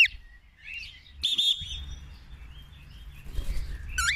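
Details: Pet cockatiel being trained by a man to fly back to him when called: sharp high chirps and thin whistled notes, one long steady whistle, then a harsh rising squawk at the end, with low rumbling background noise.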